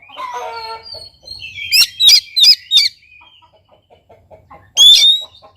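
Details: Oriental magpie-robin singing as a lure to trigger song in a silent bird: a harsh, descending chatter, then four loud, sharply sweeping whistles, soft ticking pulses, and a final strong whistled burst.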